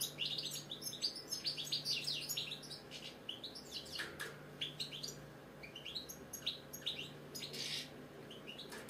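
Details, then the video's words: British European goldfinch, a captive pet bird, singing a continuous twittering song of rapid high chirps, trills and short buzzy notes with little pause, against a steady low indoor hum. "British Goldfinch singing, Chardonneret , Cardellino, Jilguero, bird song"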